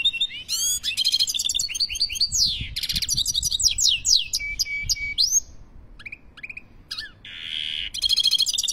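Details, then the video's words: A European goldfinch in Algeria sings varied twittering phrases: fast upslurred whistles, tinkling chips and harsh buzzy rattles, thinning out to sparse notes before a last burst of dense buzzing trills. "Le Chardonneret Toujours le Meilleur"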